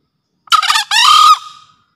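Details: Single loud crow from a male green junglefowl in breeding condition, used as a luring master: a stuttering rough intro, then a smooth held note tapering off over about half a second, in silence.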